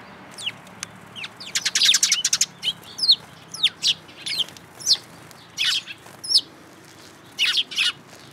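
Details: Sparrows gathering at a Tenmangu shrine on 22 May 2022, coming to be fed; a flock keeps up rapid, sharp high chirps, some in quick bursts of several notes, with a few longer downward-sweeping tweets between them.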